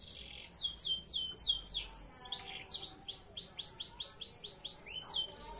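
A Belgian Bossu canary sings rapid runs of high, downward-slurred whistles, about four a second, switching between repeated phrases. No other sounds stand out.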